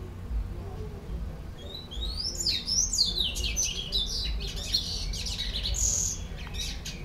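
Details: Captive white-collared seedeater, also known as argolinha branca or bico laranja, singing a run of fast high slurred whistles and clipped notes mid-clip, with steady low room hum underneath.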